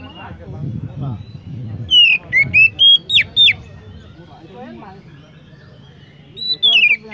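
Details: Oriental magpie-robin song: a burst of five or six loud, high, downward-sweeping whistles in quick succession, a pause with soft murmuring, then another descending whistle; faint voices at the start.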